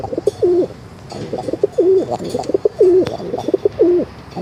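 A pigeon gives low, throaty rolling coos, several per second in short bursts, with soft indoor background noise.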